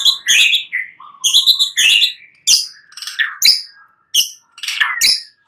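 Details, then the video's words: A white-rumped shama sings at night in a lure recording: bursts of high, harsh, chattering notes alternating with a short low whistle, given in clipped phrases with brief pauses. "Pancingan Murai batu MALAM HARI Auto NYAUT GACOR"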